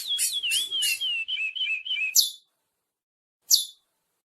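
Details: Chestnut-bellied seed finch pair in song, with a rich fluting whistle that wavers and descends over two seconds, then gives way to silence and a single sharp, high chip note.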